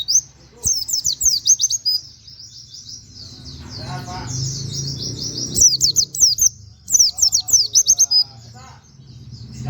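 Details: Plain flowerpecker kept for training other birds, singing in the nembak style with canary-like 'wit wit' notes. Fast runs of high, sharply rising chirps fall into bursts, broken by a pause with faint background murmur.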